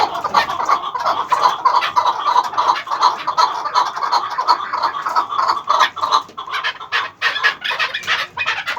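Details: Eleven-month-old chukar partridge calling: a dense, continuous run of clucking chuk notes pitched in the mid range, rising and falling in loudness, with sharper, louder bursts toward the end.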